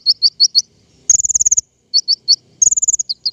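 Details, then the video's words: King konin lure song for trapping birds: high, clipped paired chirps repeated in short series, broken by fast, even, high-pitched trills of about ten notes. "PIKAT KING KONIN SUARA PANCINGAN"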